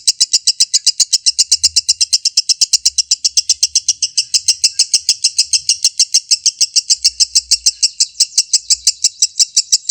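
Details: Kept lovebird in extended 'ngekek' delivery, recorded as tutor material to rile up opponent birds: nearly ten seconds of non-stop, high-pitched chattering notes in a fast, regular pulse, with occasional faint low thumps behind.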